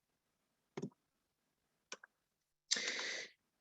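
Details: Two or three sharp clicks followed by a brief breathy burst of hiss-like noise in a quiet room, with no clear animal call.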